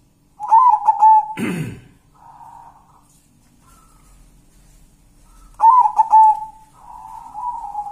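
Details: Local wild zebra dove: bubbling stuttered coos on one even pitch, repeated twice with a long pause between, followed by softer sustained notes. A brief noisy burst is heard early on.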